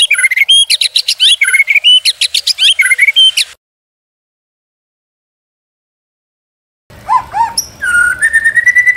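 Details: White-rumped shama singing, recorded as a masteran training and pancingan lure: a fast series of sharp high chirps and whistles, then abrupt silence for several seconds before clear, drawn-out whistles resume.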